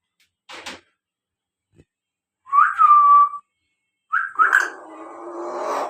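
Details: ['Pet talking Common Hill Myna kept indoors, whistling while its owner talks to it: a few faint clicks, then one steady mid-pitched whistle about a second long, followed by a rising note that breaks into a rougher, noisy sound.']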